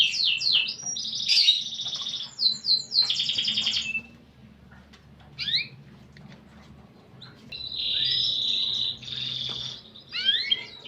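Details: Canary song with unusual cengkok ornaments, delivered in bursts: rapid descending whistled notes, a buzzy rolling trill, short downward slurs, and a later sustained rattling phrase, separated by brief pauses.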